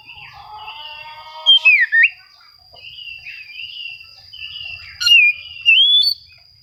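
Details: Oriental magpie-robin singing to seek rivals, a recording used to provoke quiet birds into song: loud, clear whistled phrases with rising and falling slurs, some bursts sharper and stronger, set between softer warbling passages.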